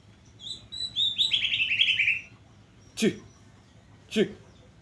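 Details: A white-rumped shama sunning in the morning gives a short burst of high chirping notes that drop into a quick trill, followed by two sharp knocking clicks, with a low background rumble.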